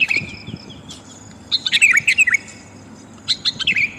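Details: Sooty-headed bulbul female calling to a male, a lure sound for wild birds: sparse chirps, then a quick run of bubbly rising-falling notes and a shorter chirpy phrase near the end.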